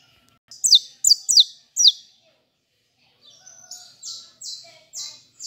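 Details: Kept saffron finch in song: four loud, sharp notes falling steeply in pitch, a brief pause, then a softer run of flat, buzzy high phrases repeated at regular intervals.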